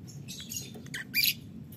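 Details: A green 'biola' colour lovebird calling in the morning: rough, buzzy squawks that build into one loud raspy burst near the end, over a low steady indoor hum.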